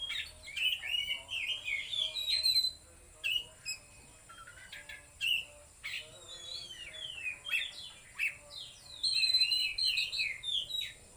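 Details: Oriental magpie-robin singing in trotol konslet style at full power: rapid, varied whistled phrases with rising and falling sweeps and chattering notes in dense bursts, brief pauses between runs, a steady high-pitched hum throughout.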